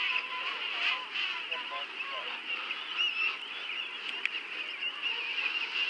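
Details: Massed calls from a penguin colony at Fortuna Bay, an unbroken wall of harsh, warbling brays, with some lower, rougher calls from closer birds rising out of the chorus.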